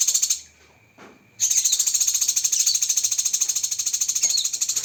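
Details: Cucak kinoi song in a full 'tembakan pedas' training style: fast, shrill, high-pitched notes poured out in a dense continuous burst after a brief pause, with pulses repeating quickly and steadily.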